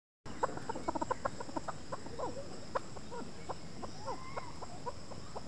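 A chukar gives a run of harsh, clucking chuk notes, quick at first and then looser and more scattered, over steady background hiss.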